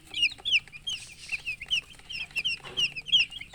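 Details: Thirsty poultry chicks, colourful baby chickens wanting water, giving loud, high, sharply falling peeps several times a second, the calls overlapping from many birds, with a brief rustle near the end.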